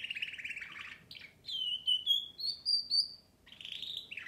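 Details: Rich canary song: a rattling trill gives way to a string of pure, high whistled notes repeated on a steady pitch, ending in a rolling buzzy phrase.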